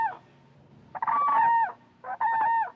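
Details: Two whooping cranes in a Texas marsh, watched from a tour boat, give two loud, trumpeting bugle calls about a second apart, each ringing and slightly falling at the end, with a brief fainter note before.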